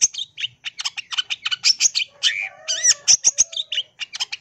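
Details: Long-tailed shrike in lively song crammed with imitations: fast runs of sharp, scratchy chip notes, then a cluster of looping whistled slurs over a faint steady low tone, before the rapid chattering resumes.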